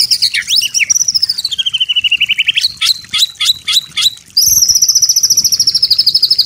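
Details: White-rumped shama master song for training birds: a dipping whistle and long fast trill sliding downward, several sharp vertical note strokes, then a steady high rattling trill to the end.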